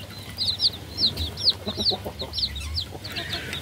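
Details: Chicks peeping in a rhythmic series of loud, high, slurred chirps, roughly two to three per second, fading toward the end, with a low hum behind.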